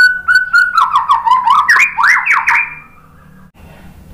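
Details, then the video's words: White-rumped shama singing to provoke rival shamas into song: a fast tumbling sequence of whistled, swooping and buzzy notes for about two and a half seconds, then near quiet with faint background noise. "memancing BUNYI ‼️ MURAI BATU jadi NYAUT ikut GACOR BONGKAR MATERI ¦ PANCINGAN MURAI"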